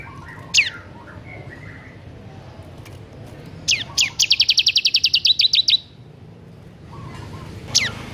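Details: Bar-winged prinia in ngebern gacor song: a sharp descending note, then after a pause a fast even trill of about twenty high clicking notes lasting nearly two seconds, with a final downward-sweeping call.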